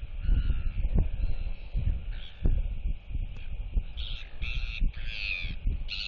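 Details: Royal albatross chick displaying to neighbouring chicks at the nest in July 2023; steady wind roar throughout, then from midway a series of loud, layered whistled bursts, several in quick succession.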